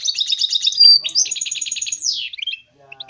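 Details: Goldfinch mule, a goldfinch hybrid kept as a songbird, sings a fast, high, buzzy trill of rapid pulses, then a piercing whistle and another rolling trill, ending in a falling sweep and a few scattered chips.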